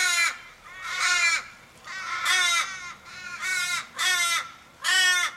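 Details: Australian ravens in a Kellyville street, Sydney, 1 July 2012, calling around an injured flock member possibly hit by a car: six drawn-out, harsh wailing caws, each sliding downward at the end, spaced about a second apart.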